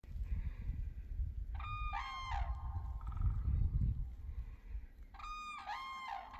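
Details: Cranes calling in Finland in spring, 15 April 2023: two loud bursts of ringing, harmonic trumpeting notes, each lasting about a second, with a steady low rumble of wind throughout.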